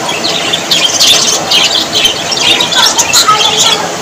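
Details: Budgerigars giving rapid high chirps and wavering warbled notes, many birds calling over one another in a lively chorus.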